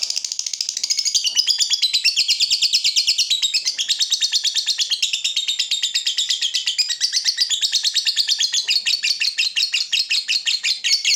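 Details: Long-duration ngekek from a lovebird fighter, recorded as masteran to teach other lovebirds: an unbroken, rapid, high-pitched chattering trill that keeps going for over eleven seconds with steady pulsing and slight pitch wavering.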